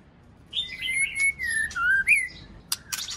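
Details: Female white-rumped shama calling to excite males: a string of smooth whistles gliding gently downward, a brief rising note, then sharp clicking snaps over a soft background hiss.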